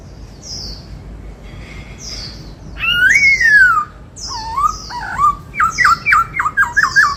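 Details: White-cheeked laughingthrush, 'bắt cô trói cột' style song: faint high notes, a loud long arched whistle, wavering phrases, then a fast burst of clipped downslurred notes.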